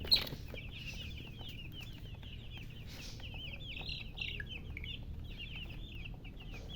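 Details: Baby chicks chirping: a rapid run of high, thin, downward-slurred peeps repeated several times a second, with faint low background hum.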